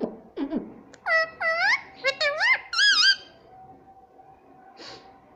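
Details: Pet parrot indoors giving a quick series of squeaky, wavering, talk-like phrases, each swooping up and down, about five bursts in two seconds, then quiet with one soft note.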